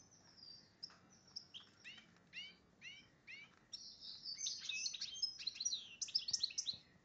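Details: Goldfinch crossed with a red agate canary, in breeding condition, singing high and bright: a run of quick downslurred notes, then a fast, liquid twittering with tinkling trills.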